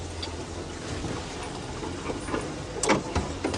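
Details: A vehicle engine hums with knocks and clunks, like a car door or window moving, and no animal calls stand out.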